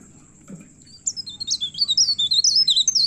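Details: Agitated myna in full song, looking for a rival; after a quiet start, a quick run of high, sharply bending whistled notes, about four per second, slurring up and down over a low electrical hum.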